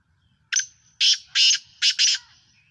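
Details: Black francolin (Sindhi kala tetar) from Pakistan gives its scratchy, creaking phrase: one clipped opening note followed by two drawn-out raspy notes and a rapid final double note, with near silence around it.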